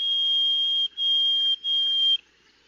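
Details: Harris's sparrow song: three long, pure whistles on one steady high pitch, each under a second with brief gaps, single unvaried notes repeated, in quiet surroundings.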